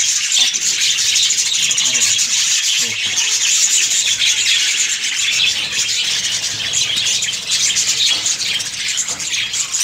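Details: Breeding colony of budgerigars with constant high, squeaky warbling from many birds, punctuated by occasional louder squawky notes.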